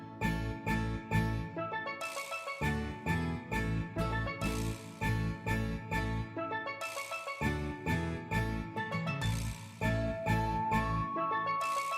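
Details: Rhythmic music with a steady beat and bright ringing melodic tones, with no animal voice.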